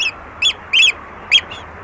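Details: Close-up oystercatcher calling at Walney: four or five sharp, high piercing 'kleep' notes with short gaps between them, each clear and ringing above quiet background water noise.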